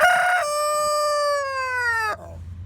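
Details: Single rooster crow, loud and clean: a brief higher opening, then a long steady harmonic note lasting about two seconds that slowly falls in pitch before cutting off.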